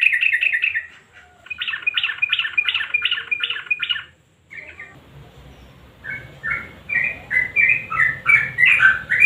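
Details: Sooty-headed bulbul song used as a lure recording to prompt silent birds to sing, in the clicking 'nguklik' style: rapid bursts of clipped, repeated notes, a short pause, then varied, bright whistled phrases rising and falling over faint background hum.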